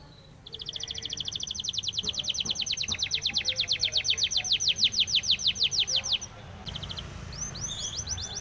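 A Spanish timbrado canary delivers a long, rapid, metallic rolling trill for about six seconds, then a few short high bursts, over a faint low hum.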